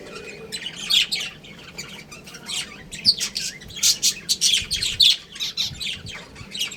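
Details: Pet budgerigars, a breeding pair, chirping: a dense run of bright, high, scratchy chirps and short squawks in quick, uneven bursts that hardly pause throughout.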